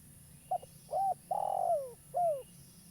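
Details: Lure recording of a local spotted dove calling freely: a single phrase of short note, smooth coo, extended trembling coo that slides down, and a closing falling coo, with low hum beneath.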